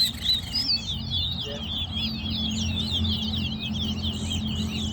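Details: Chestnut-bellied seed finch, called towa-towa, in an in-house bird singing competition: a fast, unbroken stream of high warbled twitters and slurred chirps, with counting voices and a low steady hum behind.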